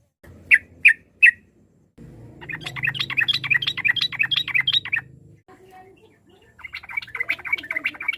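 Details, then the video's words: Sooty-headed bulbul in full song, used to provoke rivals into answering: three sharp chirps, then a rapid run of bright, bubbling notes, a pause and another fast chattering phrase, over a steady low hum. "trucuk gacor ampuh memancing lawan nyaut emosi, trucuk ropel, trucuk nggaruda, suara ber fariasi"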